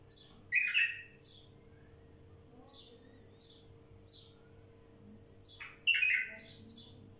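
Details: Song of a wild bulbul: two loud warbled bursts, one near the start and one near the end, separated by scattered thin high chirps, with a faint background hum.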